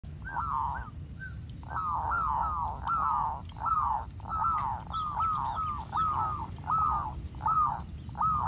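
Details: Local wild-type zebra dove singing steadily: a run of short, arched, trilled coos, roughly one every 0.7 seconds, with low rumbling background noise.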